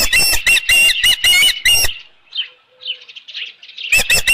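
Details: Osprey at the Dunrovin Ranch nest on 15 July 2018 around 7:55 PM, as a headless fish is brought in: loud, sharp, squealing chirps in a rapid series, then a pause of softer chatter before the chirping resumes.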